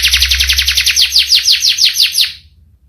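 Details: Canary giving a rolling song of quick high descending notes repeated evenly, then the phrase stops abruptly, leaving near silence and a faint low hum.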